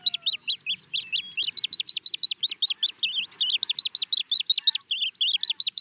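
Little stint giving a fast, steady series of thin, high twittering notes, about five per second, for several seconds in a quiet setting.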